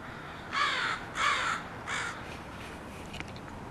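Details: Crows from a group landing at a house, making a racket: three harsh, buzzy caws in quick succession, then quieter calls fading in the background.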